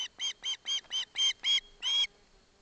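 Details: Osprey family in Barlinek Forest, the chick taking a fish from its father with its mother beside it. Eight loud, piercing whistled calls in steady succession, each short and harmonic-rich, the last one longer.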